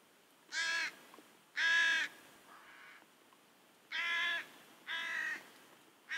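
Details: Ravens and crows screaming near a pond at Kuhmo, Finland, by the Russian border, where two bears look for food; a series of five loud, harsh, nasal caws at irregular intervals of about one to two seconds, plus a softer croak.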